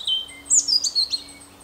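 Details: A robin singing: a short burst of thin, high whistled notes and quick sliding chirps in several rapid phrases, with a faint steady low hum underneath.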